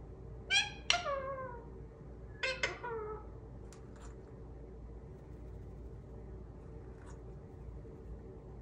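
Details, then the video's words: Pet Indian ringneck parrot in a small room, producing two pairs of quick harmonic squawky phrases with falling tails, then a few faint clicks and near silence. "The Cutest Indian Ringneck Parrot Who Talks!"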